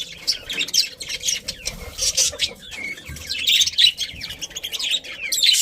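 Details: Several contented pet budgerigars chirp and warble together, a steady chorus of high scratchy notes, brief whistles and chatter that rises in loudness toward the end.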